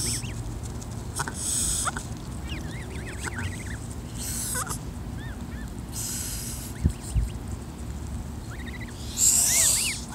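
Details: Mother goose defending her goslings, hissing in several harsh, breathy bursts spread through the clip, while the increasingly brave goslings give thin, rising and falling peeps between them over a low background rumble.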